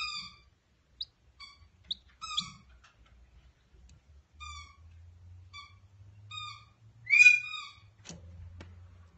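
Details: Noisy miner chicks being hand-raised and taught to self-feed give short, harsh, nasal begging calls, repeated irregularly about once a second, over a low hum and a brief knock.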